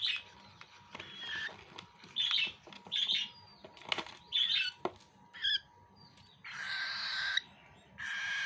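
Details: Cockatiel; begging call; chick begging while being fed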